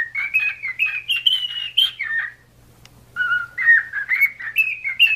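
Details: Singing pet cockatiel, meant to train cockatiels to sing: a fast, slightly buzzy warble of connected whistled notes stepping up and down, broken by a short quiet gap, over a low hum.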